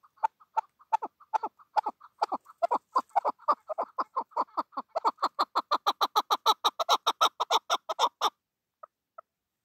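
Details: A chukar partridge kept as a hunting decoy sings a rapid, accelerating series of harsh clucking chuk notes, about three per second, building into a loud rolling chatter before stopping.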